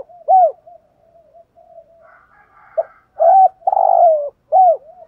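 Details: Spotted dove used as a decoy bird, calling to provoke rival wild males: short, clear, bent cooing notes with a harsher, drawn-out rasping coo near the end, heard in separate bursts over near silence.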